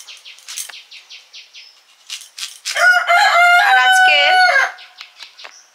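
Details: A pet chicken in a Sundarban-area Bengali village gives a loud, drawn-out crow lasting about two seconds, preceded by rapid, dry wing flaps at about four beats a second; pigeons also flutter nearby.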